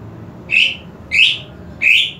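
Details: Greater green leafbird song meant to raise emotion and breeding drive: three short, slightly rising whistled notes spaced about two-thirds of a second apart, over a low steady hum.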